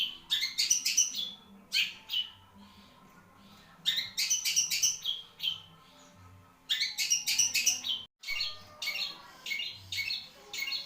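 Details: Kept long-tailed shrike, known for very long song, pours out rapid bursts of varied high chirps and whistled notes, grouped in clusters separated by brief pauses.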